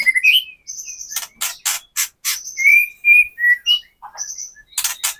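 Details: White-rumped shama lure song in the kretekan style for daily practice and contest preparation; loud crackling clicks alternate with high thin notes, and smooth drawn-out whistles fall away in the middle.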